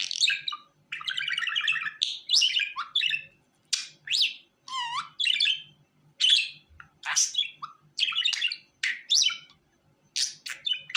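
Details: Caged pet budgerigar sings a fast, varied warble: trilled chatter, rising and falling whistled sweeps and sharp squeaks in quick succession with short gaps, faint hum beneath.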